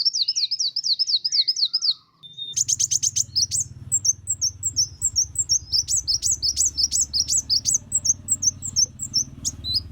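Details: Van Hasselt's sunbird singing energetically, used as a model song for training Oriental magpie-robins, kacer and leafbirds: very high, rapid, repeated thin chirps in a fast series, briefly pausing then resuming with sharper ticks, over a steady low hum.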